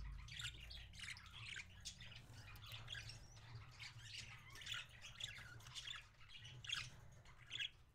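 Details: Indoor parakeet feeding another parakeet, January 26, 2017: dense, rapid chattering of harsh squawks and chirps, almost continuous, with sharper peaks late in the recording. A constant low hum sits underneath.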